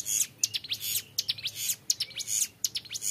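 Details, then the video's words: Short burst of 'ngebren' song from a young Bar-winged Prinia used as a tutor: a few quick, high, buzzy up-sweeping notes in tight clusters. "CIBLEK GUNUNG MUDA GACOR NGEBREN PANJANG SUARA JERNIH"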